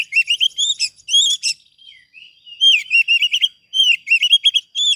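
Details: Dense, energetic song of an Oriental magpie-robin (kacer) meant as a training master: strings of loud rising whistled notes with rich overtones, delivered in rapid clusters separated by brief pauses, and a few softer gliding notes between bursts.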